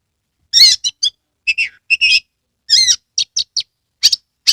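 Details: Caged Oriental magpie-robin (kacer) singing energetically with tail open: short bursts of sharp chirps and slurred whistles, some dropping in pitch, separated by brief pauses.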